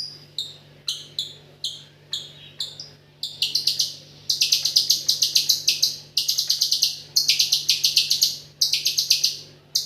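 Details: Singing white-rumped shama with 'AK47' filler: spaced, sharp high chips about every half second quicken into long, rapid rattling volleys of piercing notes. A steady low hum continues throughout.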